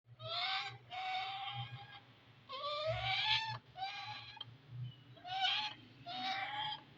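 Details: Pet Indian ringneck parakeet talking, a run of six drawn-out, nasal, voice-like syllables with rising tones, each about half a second long and separated by short pauses, followed by spoken words.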